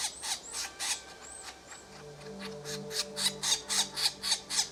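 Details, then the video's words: Red-bellied woodpecker with rough, squawking notes, sparse at first then settling into a quick regular run near four per second; high thin whistles from another bird early and a low droning hum midway. "Red-Bellied Woodpecker"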